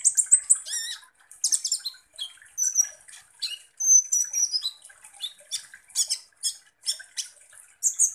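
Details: Sunbird known as kolibri ninja in energetic lure song to stir up other birds; rapid high chirps and clicks alternate with long thin whistles that slide downward, repeated in quick bursts.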